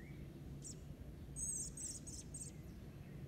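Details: American robin fledgling begging while its father feeds it on a lawn in eastern North America, 6 June 2022: short, very high squeaky bursts, a lone note then a quick cluster of four, over steady low rumbling background noise.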